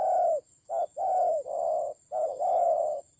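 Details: Spotted dove serving as a decoy during a fight in the Central Highland mountains of Vietnam, 19 October 2020; loud, low, breathy coos, long notes broken by a short clipped hoot, with a thin high electronic hum.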